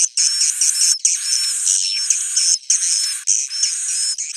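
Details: Long, loud raspy swiftlet buzzes, each about half a second to a second, separated by short pauses, with a thin high whistle gliding across them; old "jadul" style sound.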